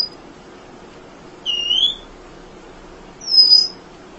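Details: Munia singing without pause, recorded for songbird training: a short high whistle, then a slurred double note, then a bright arched whistle, each separated by long gaps.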